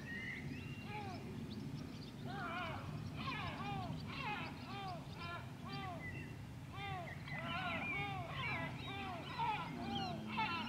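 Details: White-tailed eagle calling at Grönvik, Ornö, on 16 July 2024: long runs of rapid, falling yelps in several bursts, accompanied by a persistent low engine rumble.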